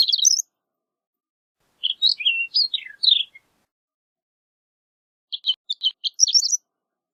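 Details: Horned lark song with short bursts of high twittering, some slurred downward notes in the middle phrase, and a final series of quick chips running into a rapid tinkling flourish.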